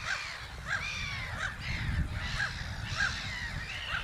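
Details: Black-headed gulls at Haaksbergerveen, Twente, Netherlands: harsh, arched, nasal calls with rich overtones, repeated about every half to two-thirds of a second, with several birds overlapping over low wind rumble.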